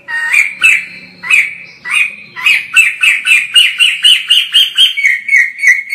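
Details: Vigorous song of a white-crested laughingthrush recorded at a distance: a fast run of bright, throaty chattering notes, starting spaced and quickening into a steady rattling burst near four per second.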